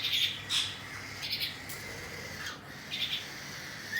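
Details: Cockatiel parents feeding their chicks; harsh, rasping squawks come in short bursts, some doubled, scattered through a few seconds over a steady faint hiss.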